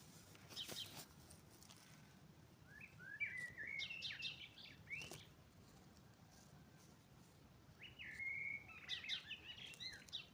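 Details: Spring birdsong at dawn: two separate bursts of stepped whistled phrases with high ticking notes, divided by a quieter stretch of faint background chirps.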